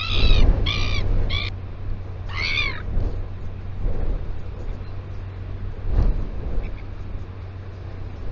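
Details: Royal albatross at its colony on Taiaroa Head near Dunedin, New Zealand, picked up by a live nest camera: a quick burst of three harsh, nasal, harmonic calls, then one more after a pause, followed by wind and low rumble.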